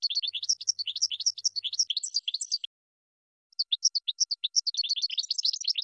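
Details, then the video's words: European goldfinch song played as a training song for cage birds: rapid liquid twittering and tinkling notes in fast runs, a brief pause near the middle, then the twittering resumes and grows busier. "Chardonneret 12h Goldfinch (Training Song)"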